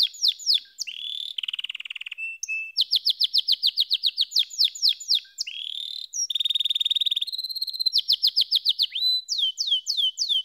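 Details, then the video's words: Canary in full song, opening with sweeping slurred notes, then long runs of rapid repeated notes, a bright sustained high trill, and crisp rising whistles, with phrases changing every second or two. "Canary SINGING"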